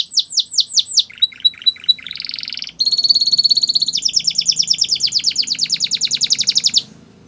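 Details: Belgian canary song: a few looping high whistles, a short run of clipped notes, a buzzy roll, then a long, steady, rapid trill that stops abruptly, leaving faint low background hum.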